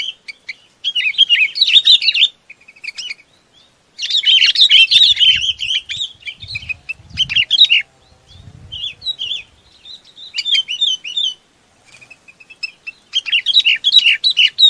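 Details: Chinese babax gathering its flock with bouts of loud chattering warbles interspersed with thinner whistled notes; soft low thuds sound in the middle section.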